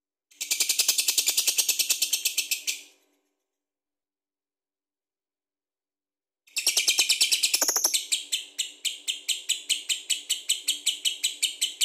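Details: Lovebird giving ngekek-style song, kept to prompt other birds to sing. A shrill rapid chatter lasts under three seconds, stops for over three seconds of silence, then resumes longer with a harsh squawk at the restart.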